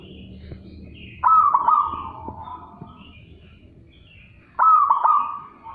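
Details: Zebra dove giving a loud, strong call: a sudden burst of hoarse cooing notes with sharp clicks, repeated after a pause, over softer background coos.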